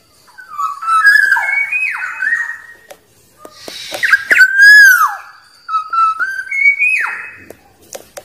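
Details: Black-naped oriole, wild, singing to summon rivals: a series of mellow whistled phrases that step up and then fall sharply, repeated several times with short gaps between them.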